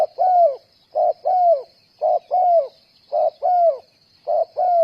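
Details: Spotted dove kept as a decoy for trapping, cooing in a regular rhythm, about one phrase a second, each a short note followed by a longer falling coo, over a steady high-pitched hiss.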